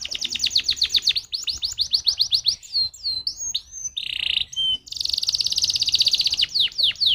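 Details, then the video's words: Canary song used as a lure to make other canaries sing: fast varied high trills, rapid repeated downward sweeps, buzzy sustained rolls and short whistled notes, loud and continuous. "Pancingan Burung Kenari Jitu Langsung Nyaut Kenari Mana Pun Bakal Ngerol Dengan ini"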